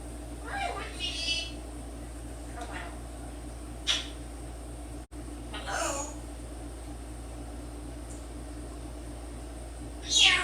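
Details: A 10-year-old male African grey parrot, indoors and reluctant to perform for the camera, gives a few short, speech-like utterances and sharp squawky noises, with quiet gaps between them over a low indoor hum.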